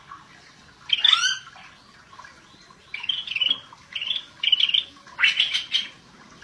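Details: Scaly-breasted bulbul in full 'gacor' song: one sweeping, descending whistled phrase, then a run of four quick chattering bursts of bright notes in the second half.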